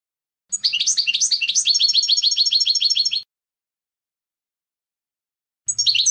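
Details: European goldfinch song, one long burst of rapid high twittering and trilled notes lasting nearly three seconds, then silence and the start of a second burst.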